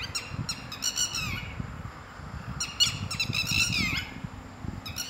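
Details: Red-wattled lapwing, one of a pair living in a garden that loudly attacks people who come too close: loud, sharp harmonic notes in rapid bursts, short clicks followed by a drawn-out, falling cry, repeated twice, with faint low rumble beneath.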